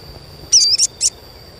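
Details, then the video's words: Asian pied starling, recorded as a lure to encourage young starlings to start singing: three quick high chirps in under a second, the first a drawn-out wavering whistle, then two shorter clipped notes, against a faint steady high hum. "SUARA CUITAN SOGON UNTUK PANCINGAN SOGON BAHAN AGAR CEPAT GACOR"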